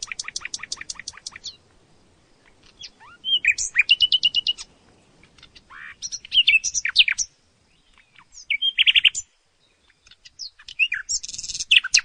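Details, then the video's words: Song of a nightingale in varied phrases separated by short pauses. Quick trills of repeated notes alternate with rising whistles and scratchy, buzzy figures, with faint low background rumble. "Som do canto do Pássaro ROUXINOL"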